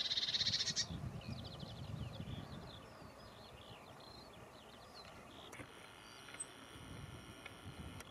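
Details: Lesser whitethroat, a short dry rattle of rapid even notes lasting under a second at the start, followed by fainter warbling of other birds over low rumbling background noise.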